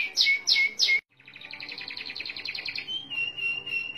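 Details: Energetic merlok canary song with long rolls in one breath: three loud harsh downslurred notes, a sharp break, then a fast soft rolling trill settling into a steady ringing tone.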